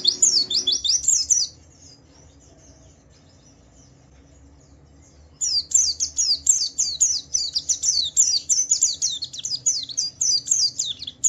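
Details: Javan white-eye song, used to provoke other white-eyes into singing: rapid high chirping notes in quick series, then a pause of about four seconds before a long run of fast, sweeping, descending twitters resumes.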